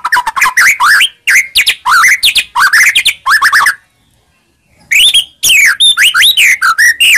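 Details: Lure song of a white-rumped shama, used to rouse a quiet shama: rapid bursts of looping, slurred whistles and sharp chirps, a silent pause midway, then higher sweeping whistled notes.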